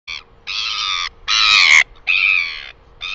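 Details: Northern royal albatross in New Zealand, recorded 12 August 2020: four loud, harsh braying bursts, each about half a second long and rich in stacked harmonics, separated by short pauses, with a steady faint hum underneath.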